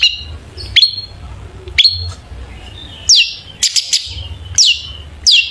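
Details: Long-tailed shrike song meant as a lure to prompt shrikes to sing: spaced sharp notes, some with sweeping downward whistles, and a few short bursts between quiet gaps.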